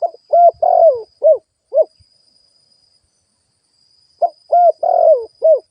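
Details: Spotted dove kept as a ground lure bird, cooing: quick bursts of short hollow hoots mixed with one longer bending coo, a silent stretch, then the same rapid sequence again, with a faint high hum.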